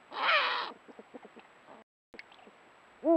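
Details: A male Eurasian eagle-owl (Bubo bubo hispanus) in breeding season, offering a vole to the female as a nuptial gift, gives a loud, harsh rasping screech of about half a second, then faint soft clucks, ending with a brief wavering tonal note.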